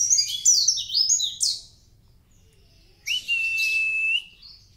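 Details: Mountain white-eye of the dagbal kintamani type, singing energetically: a quick burst of high, descending twittered phrases, a pause, then a long thin sustained whistle with a buzzy overtone.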